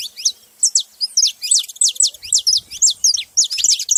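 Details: Bright, high, downward-slurred chirps from a group of saffron finches follow one another rapidly and unevenly, about two a second, with faint low noise partway through.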